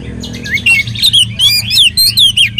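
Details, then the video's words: Oriental magpie-robin singing as a lure to prompt other magpie-robins to sing: a quick series of sweeping, high whistled phrases repeated about every half second, over a constant low-pitched hum. "kacer gacor materi mewah pancingan kacer ikut gacor"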